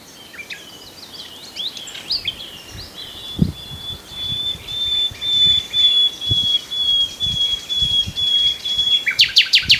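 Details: Common nightingale singing a few scattered chirps, then a very long pure whistled note held for about five seconds and swelling gradually, closing with a short burst of rapid harsh notes.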